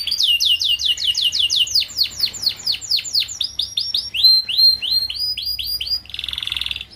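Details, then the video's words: Canary singing a paud-style master song meant to teach young canaries kept together to sing sooner; a fast series of high downslurred notes, about three per second, shifting to rising whistles, ending in a dense buzzy trill. "Kicauan Kenari Paud Untuk Pemasteran Kenari Muda Ombyokan Agar Cepat Bunyi!"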